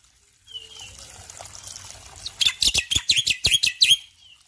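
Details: Morning song of a male Black-winged Myna: after a quiet start with a soft whistle and faint background hiss, a loud series of about ten sharp, ringing chirps arrives near the end.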